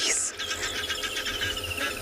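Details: Egyptian geese heard during a sunset safari drive on 17 June 2024 give a quick series of harsh, rasping honks, about eight notes a second, trailing slightly lower over two seconds, with faint background hum.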